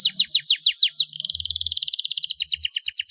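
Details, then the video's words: Starblue canary singing continuously: a run of quick descending sweeps, then a fast rattling trill, then more rapid sweeping notes, with faint low thumps in the background. "kenari Starblue gacor dor"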